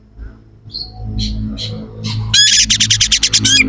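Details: Oriental magpie-robin delivering harsh, sharp fill-in song: a few soft notes followed by a fast burst of about ten grating, rattling notes. Low background hum.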